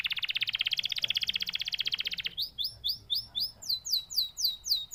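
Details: Canary song beginning with a fast buzzy trill, followed by crisp, repeated sweeping whistles delivered about twice a second, loud and clear.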